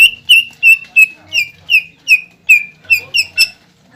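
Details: Greater green leafbird singing to rouse a rival's breeding mood: a string of short downslurred whistled notes about three per second, ending in a harsher, buzzy note, with faint low murmur behind.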